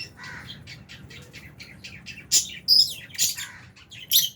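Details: In an aviary, Albino and Fisher's lovebirds share food alongside budgies. Soft rapid twittering builds into several piercing, shrill chirps and squeaks in the second half, from many birds calling at once.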